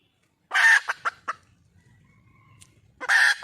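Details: Red junglefowl hen in the wild, calling to find a male, gives a harsh squawk and three quick clucks. After a quiet gap, another squawk begins.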